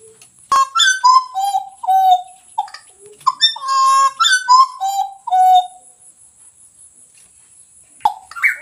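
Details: Pied butcherbird song of clear flute-like whistles stepping down in pitch, given as two similar descending phrases separated by a short gap, then a long quiet stretch and a final brief note.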